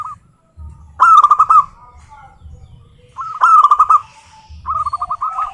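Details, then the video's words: Zebra dove singing: two loud rolled bursts of cooing notes about two seconds apart, then a quicker trill, with a faint low rumble. "suara burung perkutut"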